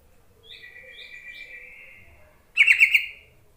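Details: A soft, sustained warbling note followed by one loud, rapid bubbly chatter from a yellow-vented bulbul calling to draw other bulbuls into song.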